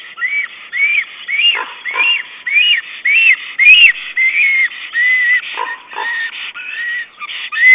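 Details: Whistling series from a male black stork calling to his mate while tidying the nest with twigs and moss, recorded by nest camera on 22 April 2009; bright arched notes repeated rapidly, some with lower rasping tails.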